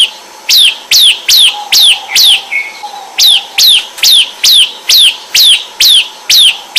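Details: Loud, emphatic phrases from a Bar-winged Prinia (ciblek): each note is a sharp, high whistle sweeping steeply downward, repeated roughly twice a second in a regular, insistent series, with a faint steady low tone behind it.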